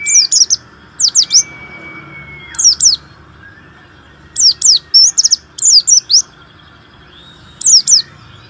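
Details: Warbling white-eye, a caged singer used to stimulate other white-eyes to sing, giving groups of high, sharp downslurred chirps in short bursts separated by pauses, with a faint steady whistle in the background.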